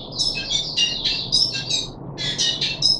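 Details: Puff-backed bulbul in a cage, 14 July 2021, deworming day three: clear, ringing high chirps in two short phrases separated by a brief silence.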